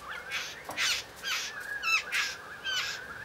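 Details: Courtship display by a male satin bowerbird before a female: five harsh, rasping, buzzy bursts about every half second, each with a thin whistled tone running beneath, in a quiet setting.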